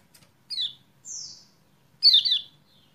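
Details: Kecial kuning (Lemon-bellied White-eye) used as a lure to get a bird that has stopped singing to sing: three short, sharp, high chirps sliding downward, the last a doubled, louder burst, with faint low hum beneath.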